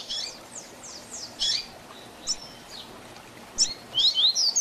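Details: Double-collared seedeater tutor song, Tui Tui Zel Zel style, for training birds: loose high slurred notes and separate sharp chips spread out, closing with a short run of clear sweeping whistles.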